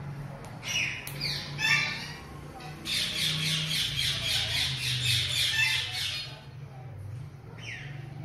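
Sulphur-crested cockatoo giving harsh, grating screeches, then a fast run of rasping squawks about four per second, over a low steady hum.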